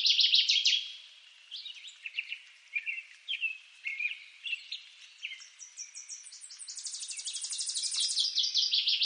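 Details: Northern waterthrush song from eastern North America: a bright, rapid series of sharp chirped notes that starts loud, drops to quieter slurred phrases in the middle, then builds into a long fast trilled run at the end.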